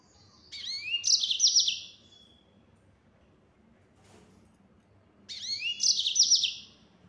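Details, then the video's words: Two matching phrases of yellow-fronted canary 'gacor nembak' song, about four seconds apart, each starting with rising slurred chirps and breaking into a fast, shrill trill, quiet between. "Burung Mozambik Gacor Suara Nembak Full Speed"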